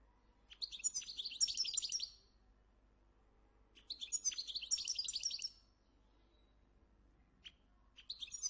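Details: Captive Moroccan goldfinch from a breeding farm sings repeated high, tinkling, jumbled twitter phrases lasting about two seconds. Pauses of similar length separate them, and a final phrase begins at the end.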